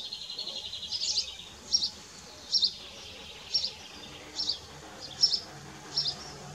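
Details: Common kestrels, Dohr, 4 June 2015, male bringing a mouse and young feeding: a brief rapid rattle, then evenly spaced shrill high calls roughly every 0.8 seconds.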